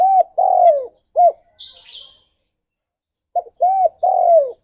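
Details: Spotted dove singing its morning coo, played to encourage mating: phrases of a short arched note, a long drawn falling coo and another short note, given twice, with one high twittering chirp between.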